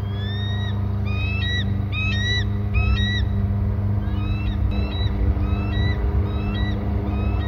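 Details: Eagle pair both calling near the nest: bursts of bright, harmonic-rich yelps that slur downward, given in quick clusters of three or four notes, then a looser series, against a constant deep engine rumble.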